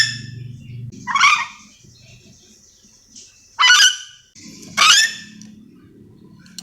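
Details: Nuri dora, the Sulawesi-endemic yellow-and-green lorikeet, calling with three coarse, rasping screeches at uneven gaps over a steady low electrical-sounding hum and soft background noise.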